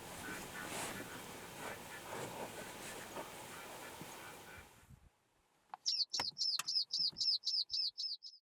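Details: Rufous-eared warbler singing in Karoo National Park, South Africa: a quick run of about a dozen high, piercing whistled notes, four or five a second, after several seconds of rushing wind noise.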